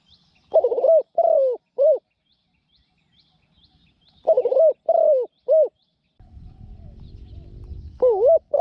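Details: Caged male-decoy spotted dove, a new bird used with a pen trap to lure wild doves, said to have a small voice and coo well: two bursts of mellow, wavering double-note coos, then a low rumbling noise before another coo.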